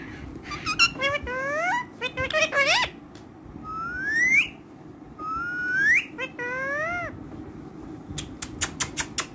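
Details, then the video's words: Friendly pet ringneck parrot talking in Urdu and Hindi: choppy speech-like syllables, then two long rising whistles with chatter in between. A burst of rapid clicks follows. "Ringneck Talking Parrot So Friendly With Everyone"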